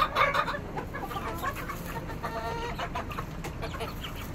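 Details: Chickens: a loud cackle at first, then softer clucks and a quiet churring under a steady background hiss.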